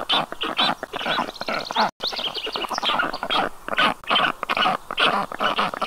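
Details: Black stork nest with chicks breathing hard on a hot day in Karula National Park, Estonia, as the mother brings grass and water: harsh, wheezy rasping notes, over two per second, in rough uneven bursts with a brief pause.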